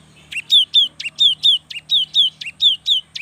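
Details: Cinereous tit, a young singer used as a stimulus for lazy birds: a steady chain of about twelve paired notes, a clipped high note then a falling whistle, evenly repeated with a low hum beneath.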